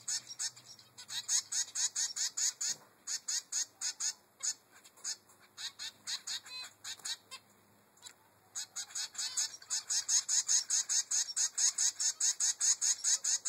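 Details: Three-week-old zebra finch begging its mother for food, a long series of rapid, evenly spaced nasal calls, briefly pausing, then resuming louder and faster.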